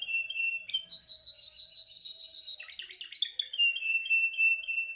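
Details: Canary training its song: sustained trilled whistles and a long steady tone, broken by a burst of rapid chattering notes, then a falling warbled trill, vigorous and continuous.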